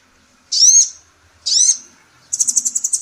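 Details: Female Indonesian kolibri ninja sunbird, from a training recording for songbirds, gives two drawn-out high buzzy slurred notes, then a quick rapid-fire trill of sharp ticks.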